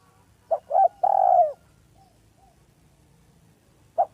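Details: Village spotted dove used as a lure call, described as smooth and clear: two short soft coos followed by a longer, rich, downward-curving coo, then a single short coo after a pause.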